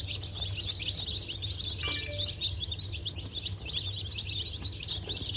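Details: Newly hatched Bantam Cochin and Sussex chickens, hatched 3 November 2024, peep nonstop in shrill overlapping chirps; a brief clear whistled tone sounds near the middle, and a low hum runs underneath.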